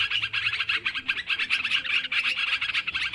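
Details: Sooty-headed bulbuls in a noisy, agitated chorus used as a lure recording: dense overlapping chattering and short whistled notes, steady and unbroken for the whole stretch, with bright accents scattered throughout.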